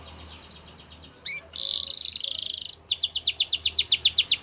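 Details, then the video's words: Spanish Timbrado canary with scattered chirps, then a dense rolling trill, then a fast run of steeply descending notes repeated about five times a second over faint background noise. "Spanish Timbrado Canary Singing"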